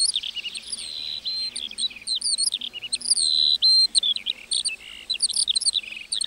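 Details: ['Continuous meadow lark song: hurried high twitters and chirps interspersed with a longer steady whistle, the phrases running into each other with hardly any pause.']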